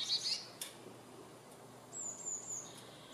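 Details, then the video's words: Eurasian blue tit (Parus caeruleus) near a nest box gives a few thin, very high notes, then a fine, high-pitched trill lasting under a second, with a brief click between them. "Blue Tit Birds singing in nature"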